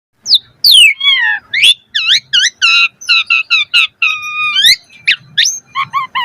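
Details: Asian pied starling in full 'mompa' variation song, a training recording to make starlings sing: a dense run of ringing, bell-like up-and-down whistles, a steady series of repeated harmonic notes, then a quick descending trill.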